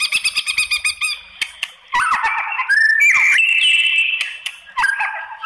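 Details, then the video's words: White-rumped shama song used to provoke other shamas into answering: a run of rapid repeated chips, then long sustained whistles and slurred phrases mid-range, loud and varied with brief pauses. "MURAI BATU APAPUN Jadi NYAUT NGELAWAN dan BONGKAR ISIAN ¦ PANCINGAN MURAI"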